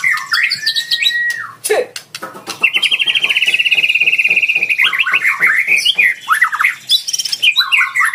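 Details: Fighter white-rumped shama calling out a rival: a long falling whistle, then a buzzy rapid trill held about two seconds, then jumbled rising and falling whistled phrases.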